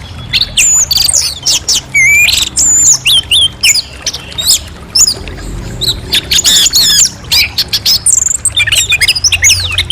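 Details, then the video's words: An orange-headed thrush pours out a fast, varied song of sharp, rapid notes, steep whistled sweeps and buzzy bursts, delivered in quick clusters with only short gaps; a low hum runs underneath. "Suara Jernih Burung Anis Merah"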